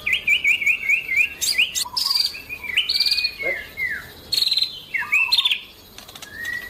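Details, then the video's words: White-rumped shama singing in full, lively contest form (gacor), a regular champion bird: a rich run of clear whistled phrases, some rising and some falling, with quick chip notes and sharp high flourishes. "murai batu gacor"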